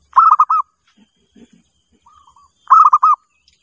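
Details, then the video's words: Zebra dove calling as a lure: phrases of four or five rapid, bubbly rolling coos, each led by soft quiet notes, repeated about every two and a half seconds, with faint low taps in the gaps. "Suara Perkutut Pemanggil Paling MANJUR"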